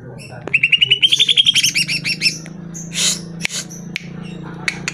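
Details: Greater green leafbird song used to stir caged birds into singing: a fast run of about fifteen ringing whistled notes climbing slightly in pitch, followed by harsh rasping notes and sharp clicks over a steady low hum.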